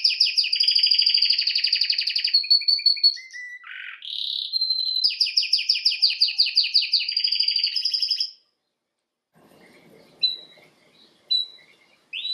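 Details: Canary training song: rapid high trills and rolls, a short drop to low buzzy notes, another long pulsed trill, then quiet with a few isolated high whistles.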